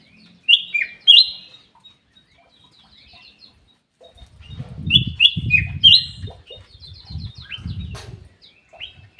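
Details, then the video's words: Black-capped bulbul in an aviary: short clear whistled phrases, some rising, others dropping, in scattered bursts, with low thumping and rustling noises between them. "KICAU KUTILANG EMAS \ CUCAK EMAS GACOR"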